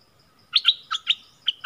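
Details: Yellow-vented bulbul lure song recorded 20 March 2021: a series of six bright, clipped chirps in uneven pairs, some bending downward, over a faint low rumble.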